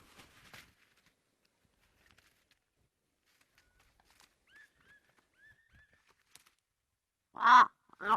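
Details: A curious crow gives a few soft, quiet murmured notes, then two loud, harsh, rasping caws close together, calling out to its extended family.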